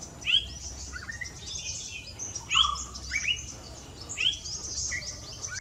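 A Yellow-browed Bulbul gives sweet, rising whistled 'tooee' notes in short bursts about every two seconds, over a steady high insect-like hiss.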